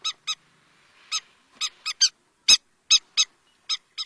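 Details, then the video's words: Irregular series of loud, piercing, short notes from a river lapwing, spaced unevenly over a quiet background. "River Lapwing Call | হট্টিটি পাখির ডাক | Titahari ki Awaaz | River Lapwing Bird Sound"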